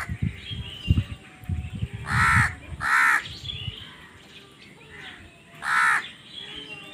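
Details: Crow amid a fight for food, calling in a pair of quick raspy caws, then a fainter one and a final loud caw, with knocking sounds early on.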